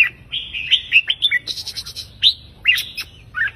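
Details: Counting-song Red-whiskered bulbul, 3-4-5 note phrases sung to excite listeners: lively series of bright whistled notes, briefly interrupted by a hissy burst, then more sharp chirps.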